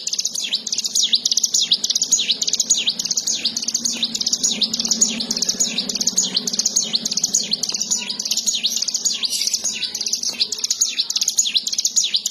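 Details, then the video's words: Ciwah, a bar-winged prinia, in continuous gacor song: high, rapid chirping notes packed closely together over twelve seconds, with a soft low rumble behind. "ciwah! ciblek sawah gacor"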